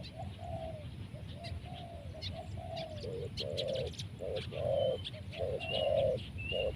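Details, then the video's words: Spotted dove, said to have a big voice and big body, cooing while birds are trapped with a decoy; soft falling coos growing louder into clustered phrases, with clicking noise and a thin high whistle from another bird. "Mikat tekukur,, suara besar body besar"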